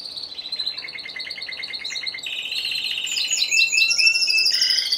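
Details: Single Timbrado Español canary competing in November 2015 sings a fast pulsed trill about four notes a second, rising into louder higher rolls and a final whistled phrase.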